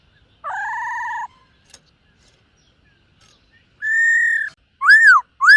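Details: Black-throated laughingthrush in morning voice practice while dancing: a flat double-toned whistle, a long pause, then a level whistle followed by two arched, rising-and-falling whistled notes.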